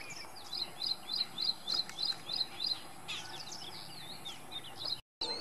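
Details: Ashy prinia singing, recorded April 3, 2022 on a Panasonic FZ-70: a run of about eight high, sharp, evenly spaced chirped notes, roughly three per second, then a faster jumble of thin twittering notes before a brief gap.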